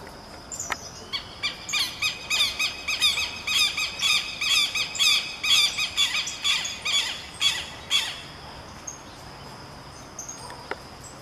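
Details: Two southern lapwings (Vanellus chilensis) singing a duet: loud, harsh, strident notes repeated about twice a second for some seven seconds, overlapping into a rhythmic chatter, then fading.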